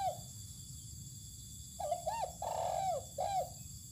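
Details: Spotted dove set out to sun in open ground, giving a phrase of three to four soft arched coos near one pitch, the middle note longest and drawn out, after a brief earlier coo, over a steady low hum and faint insect hiss.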